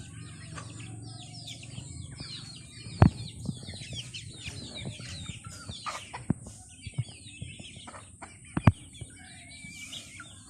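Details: Chickens eating: many short, high chirping calls overlap throughout, some curving up or down, with sharp tapping clicks of pecking at about three and eight and a half seconds.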